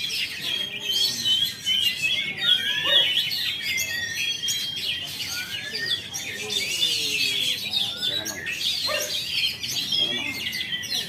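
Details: Oriental magpie-robin kept in a cage in Jakarta, Indonesia, just out of moult, delivering a long, fast jumble of bright whistles, rising slurs and chatter, phrases tumbling about two or three per second.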